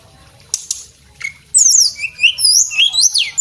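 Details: Male Javan whistling thrush in vigorous song, used as a tutor recording: a few sharp clicks, then a rapid run of high, swooping whistled phrases, rising and falling, delivered loud and continuous.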